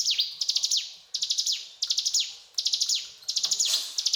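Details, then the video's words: Ciblek gunung, the mountain tailorbird, in lively cetrakan song: quick runs of high clicking notes that slide down into a falling whistle, phrases coming about every three-quarters of a second. "Burung Ciblek Gunung Gacor Cetrakan"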